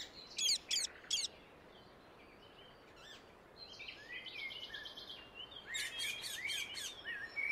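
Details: Rose-ringed parakeet in the wild gives a burst of three sharp, shrill screeches, then a pause filled with faint twitters before another rapid series of harsh high calls near the end.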